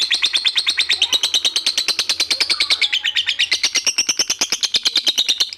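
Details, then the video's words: A collared kingfisher, called lobet, delivers an extended ngekek: a dense, rapid chatter of loud, sharp kek notes about three per second or faster, holding a bright high pitch that gently rises toward the close. "Lobet ngekek panjang sekali"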